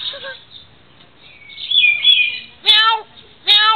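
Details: Talking bird producing bursts of clear, harmonic, nasal-sounding vocal notes, some drawn out and wavering, ending with two short loud calls; a person laughs and speaks nearby, asking a question right after.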